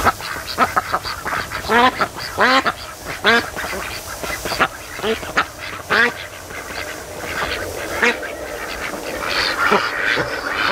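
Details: Ducks raised by hand, on day 92, resting lazily at a lake by a creek mouth in the afternoon sun. A series of short, nasal, harmonic quacks in irregular bursts, some clustered in quick runs, over a soft watery background.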